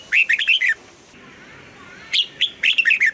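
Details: Morning training song of a red-whiskered bulbul in the 'âm kép già rừng' double-note style: a burst of five liquid warbled notes, a pause, then two clear whistles leading into another quick descending run.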